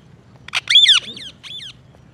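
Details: Green ringneck parrot calling with a quick burst of harsh screeches, a loud rasping squawk followed by two softer falling screeches, against faint low hum.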